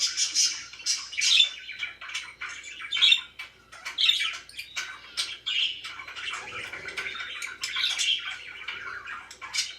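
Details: Parakeets chirping and squawking, harsh scratchy calls mixed with clear whistled squeaks and chatter, in irregular bursts with short pauses between.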